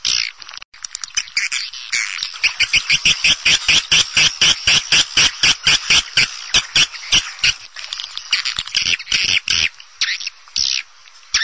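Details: Swiftlet lure sound for nest houses: a long, uneven train of harsh, buzzy chirping pulses, roughly two each second, high-pitched and continuous apart from brief gaps.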